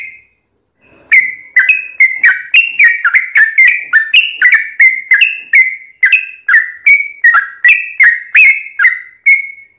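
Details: Long 'ropel' song of a sooty-headed bulbul, played to prompt other bulbuls to answer: after one lone note, a steady, unbroken chain of about twenty bright, gurgling whistled phrases with slight rising and falling pitch.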